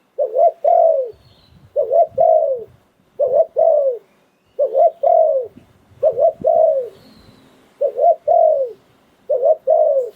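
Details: Spotted Dove decoy bird from Thailand in the Sai Phon Liu Tan song style. Seven phrases come about every one and a half seconds, each with two quick rising notes and a longer, drooping coo. Faint rustles sound underneath.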